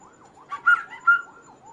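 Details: Kaso-kaso bird, recorded as a lure and master song for other birds, giving two clear steady whistled notes amid softer warbling, with a wavering tone in the background.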